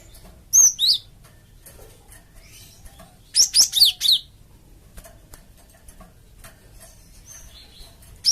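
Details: Bright, piercing chirps from a Java sparrow meant to draw answers from other birds: a pair of swooping notes, then a fast cluster of four descending chirps, and one more chirp at the close.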